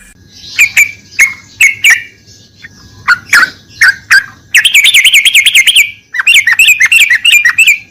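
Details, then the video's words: Yellow-vented bulbul (trucukan) used as a lure to make a silent bird sing: scattered sharp chips, then two fast, buzzy rattling runs of dense repeated notes. "PANCINGAN TRUCUKAN MACET BUNYI"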